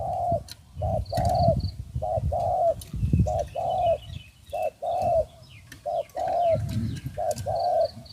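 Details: Spotted Doves calling outdoors during decoy trapping with a new decoy bird, with two birds said to have come in. Soft low coos repeat in short groups about once a second, over rural background noise and faint high chirps.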